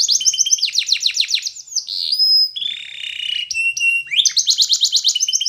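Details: Singing yellow canary used for training: rapid run of repeated high swept notes, a steady whistled tone and lower buzzy roll in the middle, then the fast swept notes return.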